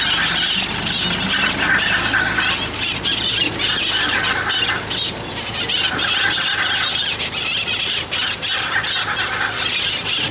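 Hyacinth macaws give loud, harsh squawks and grating screeches almost without pause, several birds calling over one another.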